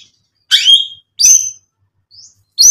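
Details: A few loud, sharp, high notes from a white-rumped shama, separated by short silences, sung to provoke other shamas into singing.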